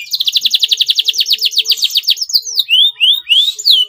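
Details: Yellow male canary, somewhat in breeding condition, singing a fast trill of downslurred notes for over two seconds, then loud rising whistled phrases.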